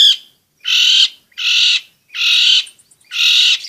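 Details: Long-tailed shrike in full voice, played to prompt quiet shrikes to sing and to train young birds: four loud, harsh, grating bursts, each about half a second long, repeated roughly every 0.8 seconds.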